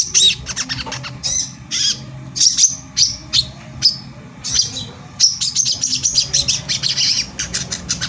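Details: Brown-throated sunbird (kolibri kelapa) in 'tembakan rapat' song style used to make other sunbirds agitated and sing; loose clusters of high chirps and twitters, ending in a faster run of sharp ticks, with low background hum.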